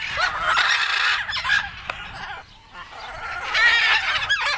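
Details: Macaws waking up at a bird park in Athens, Greece, give harsh, raspy squawks in two loud bursts, with several birds overlapping in a grating chorus and a brief quieter gap between.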